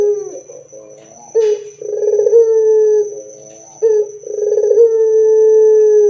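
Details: Barbary dove singing loudly as a lure for other doves: two coos about two and a half seconds apart, each a soft murmur, then a rolled burbling burst that stretches into a long steady low note.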